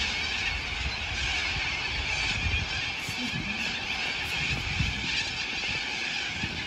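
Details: Sulphur-crested cockatoos, a huge flock seen in Melbourne on 2 February 2022, recorded by iPhone 11: unbroken raucous screeching from many birds at once, loud and steady throughout, with faint low rumble beneath.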